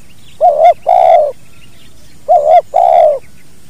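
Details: Two-part 'kuk dua' coo of a spotted dove, recorded naturally for training other birds: two phrases, each a brief quavering note and then a fuller, drawn-out low coo, separated by nearly two seconds of quiet.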